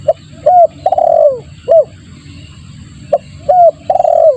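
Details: Spotted dove lure call: short note, clear coo and long trilled, falling coo, heard twice in succession about every three seconds. Steady low rumble and faint high whine behind.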